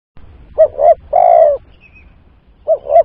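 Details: Spotted dove lure call used for trapping: two short coos followed by a long, drawn-out falling coo, then another pair of short notes near the end, over faint low rumble.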